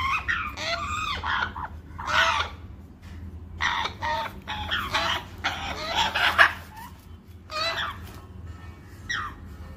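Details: Hand-fed, tame African grey parrot chicks give harsh, wavering squawks and rasping begging cries in bursts, with a steady low hum in the background.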